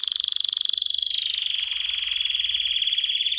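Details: Canary song meant for training birds and exciting females to mate: one continuous rapid rolling trill, high and even, slightly falling then steady, its pulses very fast and regular throughout.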